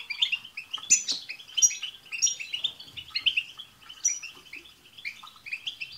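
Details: European goldfinches sing as a group to stir a pet goldfinch into song, with fast, repeated twittering chirps at roughly eighty-five per minute, mixed with thin, high tss whistles.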